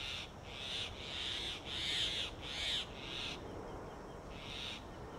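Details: Grey hornbill near a mud-sealed tree-hole nest in Delhi's summer heat, where a male regurgitates food for the incubating female. Harsh, squealing notes come in close bursts, about five over three seconds, then a pause and one more burst.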